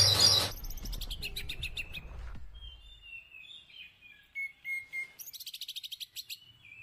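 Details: A loud harsh screech from a caged rainbow lorikeet during mating gives way to thin warbling whistles and a fast series of short buzzy pulses, ending in scratchy chatter.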